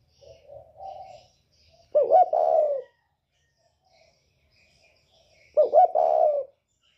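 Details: Northern spotted dove with a 'còi bổi' voice, used to provoke rival birds. A softer low coo leads into two loud phrases, each a wavering stuttered onset and a held mellow coo, spaced about 3.5 seconds apart.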